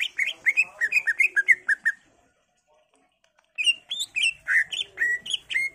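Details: Energetic, varied greater green leafbird song meant to lure other leafbirds into replying: quick runs of slurred, chirping whistles, a silent gap of about one and a half seconds, then another rapid run of warbled notes.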